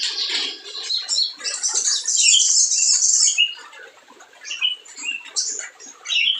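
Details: Spiderhunter in energetic full song, a recording used as a lure to goad sluggish birds into singing: dense, rapid high chattering and squeaky notes, bursts rising and falling in loudness, a louder shrill stretch in the middle.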